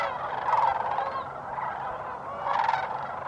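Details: Many sandhill cranes at a New Mexico wildlife refuge in December 2015, a dense chorus of rolling, rattling bugle calls, two louder purring bursts standing out against the steady background of distant cranes.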